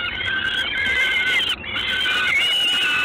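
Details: Harsh, strained wailing of a Peregrine falcon, recorded in Gdańsk on the evening of 3 June 2016. Two sustained, slightly wavering cries are broken by one short pause.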